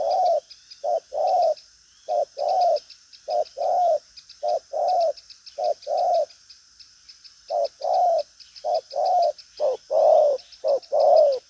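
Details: Strong-cooing 'đồng pha chân cua' spotted dove, lively and fidgety, sounding driving coos with a drawn-out tail: steady run of low double coos, short note then longer downslurred one, a brief gap midway, high insect trill throughout.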